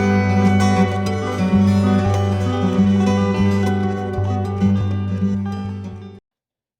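Plucked string music, like a zither or harp, plays steadily for six seconds and then stops, with no animal calls.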